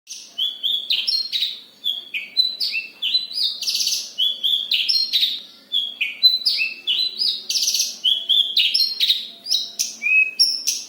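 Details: Javan bush lark from Kediri singing in a dense rolling style: loud, clear whistled and slurred notes, often rising or falling, delivered in quick bursts with brief pauses; no other sounds stand out.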